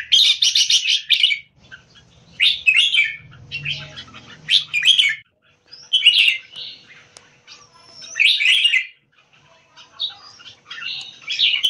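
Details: Red-whiskered bulbul kept as a competition bird, shown in a slash open tail peacock display with open tail keke: bright, bubbly whistled phrases about a second long, repeated in bursts every couple of seconds, with a faint low hum beneath.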